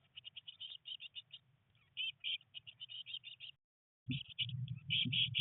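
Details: High, quickly repeated chirps from three Eurasian blue tit chicks on day 19 in the nest box, a rainy day of first flight attempts; a short silence near four seconds, then louder chirping with scraping and rustling.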